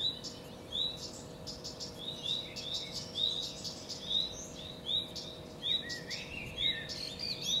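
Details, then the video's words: Common redstart (Phoenicurus phoenicurus) singing: short, high, slurred notes repeated irregularly about every half second, fairly faint against a soft background hiss. "Canto del codirosso (Phoenicurus phoenicurus)"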